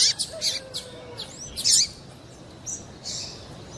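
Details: Female double-collared seedeater piping to get a male singing for tournaments; irregular high chips and short twisting slurs, one louder burst near the middle, then softer spaced notes and quiet background.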